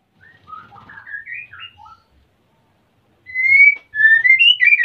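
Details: Breeding-condition male white-rumped shama asking to mate, female busy building a nest, kept at Salaman in Magelang, Central Java: soft tumbling whistled notes, a pause, then loud clear rising whistles and quick warbled phrases.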